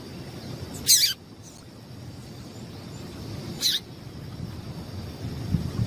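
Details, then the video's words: Female Double-collared Seedeater call, used to warm up males for singing tournaments: two short, sharp, hissy notes about three seconds apart, against a faint steady background hiss. "Piado de Fêmea de Papa capim"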